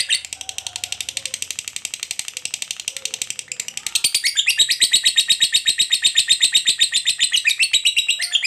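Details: Lovebird in extended ngekek panjang chattering, a provocation lure for other lovebirds: fast rattling run of high, scratchy pulses that turns louder and fuller halfway, continuing steadily to the end.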